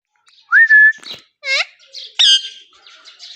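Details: Pet ringneck green parrot in India: a rising whistle flattening into a steady tone, then a dry rasp, a falling harmonic squawk and a bright buzzy call, with softer chatter trailing off.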